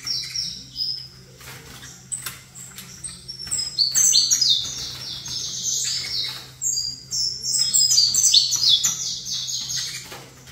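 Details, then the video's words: Saffron finch singing while placed facing a second saffron finch, with the two birds' bloodlines given: bright high chirped notes in rapid overlapping bursts, slurred down-sweeps and brief pauses, over a steady low electrical hum. "Canto Canário da Terra"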